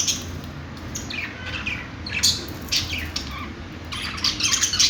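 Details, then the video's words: Budgerigar, an Australian parakeet, giving scattered sharp high chirps and short rising and falling squeaks, thickening into a dense burst of chatter at the end over a low background hum. "budgie birds | love birds |parakeet chirping sounds |Australian parrot|bajri totay ki awaz"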